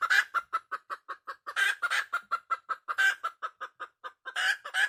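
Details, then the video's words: Wild red junglefowl hen calling: a fast run of short, even clucks, about five per second, broken by louder, harsher cackling bursts near the start, middle and end. "suab poj qaib qus tsauj tuaj heev"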